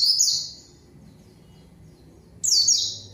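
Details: Short bursts of a white-eye's lure song, aimed at calling a rival: a quick run of high, descending whistles, a silent stretch of nearly two seconds, then a fresh burst beginning.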